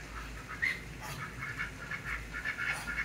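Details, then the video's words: Pekin ducks at an apartment complex in Oviedo, Florida, giving a run of rough, nasal quacks in quick bursts, several a second, over a low steady hum. "Pekin Ducks Quack"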